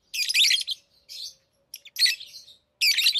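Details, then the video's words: Pet lovebirds giving loud, raspy, noisy screeches in two- to three-part bursts, shrill and grating, with brief silences between. "Love birds Talking | Singing Sounds"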